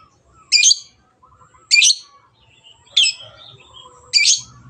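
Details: Long-tailed shrike, played as a lure to spur reluctant birds to sing, giving four rasping, scratchy notes spaced a little over a second apart, with faint background chirping.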